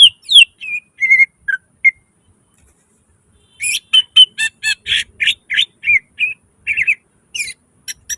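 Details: Greater green leafbird (cucak ijo) singing gacor with nembak isian fills: a few whistled slurs, a silent gap, then a rapid, rattling run of buzzy chirps and sharp whistles.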